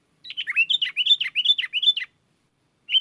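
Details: Sooty-headed bulbul calling to wild bulbuls, which reply; a rapid run of about a dozen bubbly, slurred notes over two seconds, then a pause and one more note.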